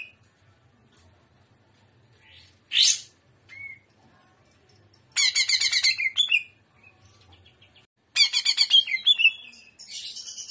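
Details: Greater green leafbird in energetic shrimp-style song: a single loud rasping note, then two separate bursts of fast, harsh, pulsed trilling with quiet gaps between them.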